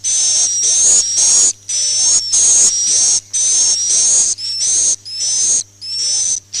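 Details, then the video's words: Swiftlet lure call used to attract swiftlets: high, slightly rising chirping bursts repeated roughly every half second, each burst about half a second long, with short silent gaps and a faint steady low hum underneath. "suara panggil burung walet"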